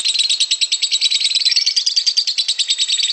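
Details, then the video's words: Lovebird ngekek, a long trill played to train other lovebirds: a fast, shrill, buzzy chatter of evenly repeated pulses filling all three seconds without pause. "Lovebird ngekek panjang keren buat masteran biar cepet ngekek"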